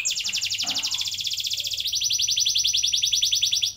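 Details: Canary singing a continuous rolling trill, used as a lure for young canaries: fast pulsed notes throughout, dropping slightly in pitch, then a second even trill after about two seconds.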